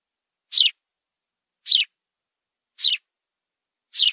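A sparrow gives short, bright chirps, one roughly every second, evenly paced, with near silence between them.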